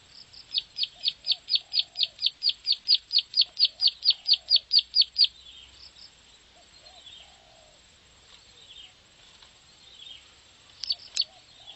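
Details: A bar-winged prinia's 'klik' master song, fast and sustained in 'nembak ngebren' style, meant to provoke birds to sing: around twenty shrill descending chips rising in loudness over five seconds, then scattered faint calls, low warbles and a brief closing burst.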